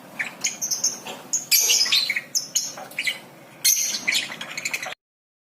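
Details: Lovebird in ngekek song, a lure for novice lovebirds to sing: rapid shrill chirps and buzzy trilled bursts, two loud bouts of scratchy chatter, ending abruptly in silence.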